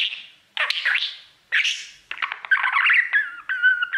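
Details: Singing to his mirror, a male budgerigar gives separate squeaky, rising and falling chirps. These give way to a fast scratchy warble and steady whistled tones near the end.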